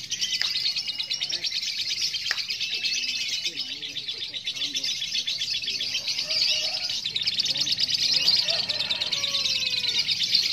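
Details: Lovebird at a song competition on the hanging pole in Klaten, Indonesia, giving its long 'ngekek' chatter: a dense, rapid, high buzzy trill that runs unbroken for over ten seconds, with faint voices and steady whistled tones behind.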